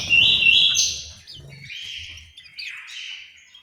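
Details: Orange-headed thrush in an aviary in Malang, East Java, opening with a loud, buzzy warbled phrase that fades into softer, descending whistled notes, with low background rumbling at the start.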